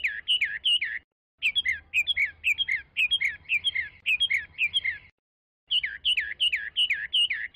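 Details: Chinese hwamei song: loud, rich whistled phrases of looping, wavering notes repeated in quick runs, with two short pauses between bursts.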